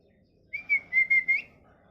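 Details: Pet parrot, molting, giving a clear, level whistled note that lasts almost a second and pulses four times, ending in a slight upward lift, in a quiet room.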